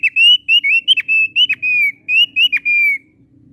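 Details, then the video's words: Clear whistled phrases from a thick-billed heleia, each a short bright note or slurred whistle with a quick downward flick, given in an uneven rhythm of bursts and pauses, ending in a long gently falling whistle. "Suara Burung Opior Paruh Tebal Gacor Merdu"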